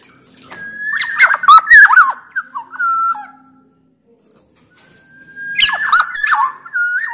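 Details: Sumbawa black-naped oriole in loud, persistent song meant to set other orioles singing. Bubbling, looping whistles and harsh accents in two bursts around a silent pause, each ending in a level fluted note.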